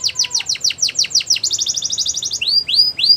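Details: Belgian canary song for training young canaries: about ten quick falling notes, a faster rolled trill, then three rising whistled slurs.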